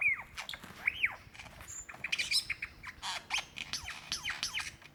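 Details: Male lyrebird calling for a female mate in Dandenong Ranges National Park, Victoria, Australia, February 2016, a song that includes an imitation of a kookaburra. Here it gives varied high whistled sweeps, arched slurs and sharp clicking notes at irregular intervals, fairly distant.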